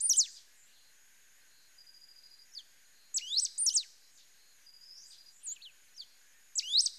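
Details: Pale-throated pampa-finch song with several loud phrases of steep whistled slurs, separated by soft buzzy trills and thin flat tones, over a faint high hiss.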